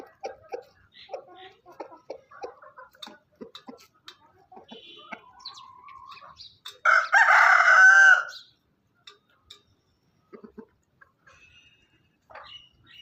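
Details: Rooster crowing recorded on a farm: scattered soft clucks and chirps for several seconds, then one loud harsh crow lasting about a second and a half near the middle, followed by quieter clucking and faint bird chirps.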